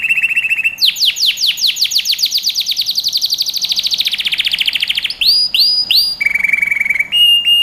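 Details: Canary singing for young birds to learn from: a low trill gives way to a long accelerating series of bright falling sweeps, then looping whistles and a closing steady roll.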